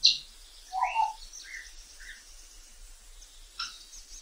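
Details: African grey parrot heard in the wild: a sharp high click, then a mellow low whistle followed by several softer rising notes, with faint background hiss.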